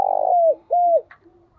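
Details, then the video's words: Spotted dove decoy call in the Vietnamese urging and calling style, meant to attract wild doves: two drawn-out mid-pitched coos, each ending in a downward slur, then silence. "tiếng cu gáy thúc và gáy gọi căng đét hay nhất, và rất hiệu quả"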